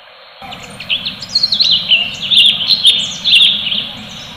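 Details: Full tembakan from a cucak cungkok, or orange-bellied leafbird: a continuous four-second stream of varied high whistles, zigzagging slurs and sharp chips, quickening toward the end.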